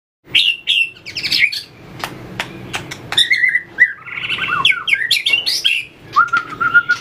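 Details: Captive white-rumped shama trained in competitive fighting song while flicking its tail: rich varied whistles, sliding and warbled phrases with sharp clicks and taps between, ending on a level whistle.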